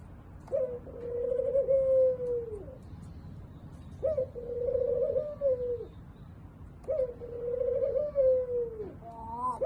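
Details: Spotted dove calling: long, low, mellow cooing notes, each drawn out and slightly falling at the end, repeated about every two and a half seconds over a low background hum.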